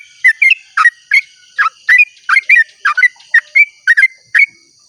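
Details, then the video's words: Sooty-headed bulbul giving a long 'ropel' song at dawn, played to lure other bulbuls into singing; bright, rich whistled notes in quick pairs and triplets, rising and falling, roughly two bursts per second, in otherwise silent surroundings. "pancingan trucuk ropel panjang cengkok termerdu saat subuh"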